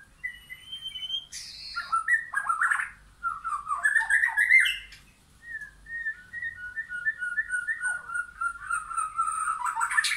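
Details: White-rumped shama, wild and caged birds in a backyard forest; a long, rich song of varied whistles, fluty slurs and quick note runs, including a rhythmic series of short rising whistles.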